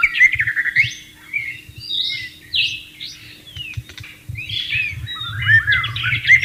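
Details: Wild white-rumped shama singing beside flowing water: spaced phrases of swooping whistles and short buzzy notes, quieter mid-section, then louder sweet whistles and chatter; soft water noise below.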